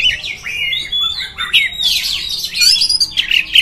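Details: Short stretch of oriental magpie-robin (kacer) song, played to rile up other magpie-robins: sliding whistles and dense, scratchy chattering notes blurring into one another, steady and loud throughout.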